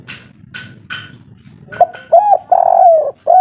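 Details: Agitated local spotted dove of the kuk 3 style. Several faint higher chirps open the recording before a series of deep, smooth coos begins, including one long sliding note, ending on a fresh coo.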